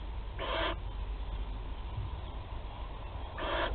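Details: Barn owl chicks in a nest box at Théding, France, on 8 July 2020, during their first feeding: two hoarse, hissing screeches about three seconds apart over steady low background hum.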